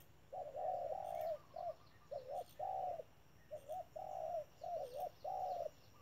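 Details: Decoy spotted dove at a trap delivering a run of cooing phrases, alternating short dipped notes with long flat coos, about ten notes over six seconds, faint clicks and low hum.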